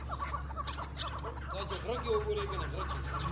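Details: Chukar giving rapid, uneven clucking and chattering notes, with a brief rising whistle-like note midway, over a constant low hum.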